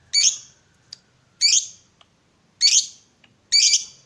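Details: Lovebird morning trainer sound meant to set other lovebirds trilling and chattering; four harsh, broadband squawks about a second apart, with faint clicks between them.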